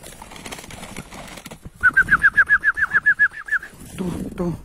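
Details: Tethered chukar partridge used as a decoy during hunting gives a rapid series of about thirteen evenly spaced, clipped mid-pitched notes over two seconds, after rustling and handling noise, with low murmurs afterwards.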